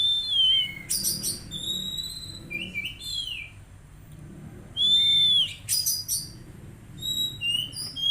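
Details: Untrained magpie-robin kept in a cage under daily care sings a lively mix of rasping buzzes, clear whistles and falling slurs, repeated in two similar bursts separated by a short quieter gap.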